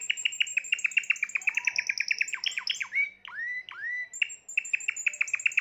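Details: Recorded in 2020, a Timbrado canary pours out a fast, even metallic trill, several drawn-out rising whistles, then resumes the rapid rolling notes.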